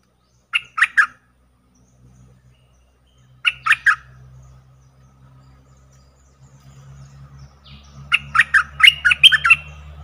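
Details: Caged streak-eared bulbul decoy calling to wild birds that fly around without coming down; two triple-chirp bursts spaced apart, then a longer fast run of chirps over a rising low engine-like hum.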